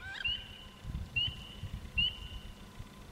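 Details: Courting wood ducks, 14 April 2012: three thin, high, rising whistles, about one each second, a quick upslur held as a sustained squeal, over low wind rumble.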